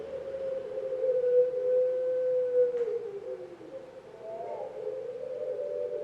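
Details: Former competition-winning pelung-type Barbary dove at a breeding farm in Pakisaji, Malang, cooing: a long, low, sustained tone that drops and wavers, then a second drawn-out coo.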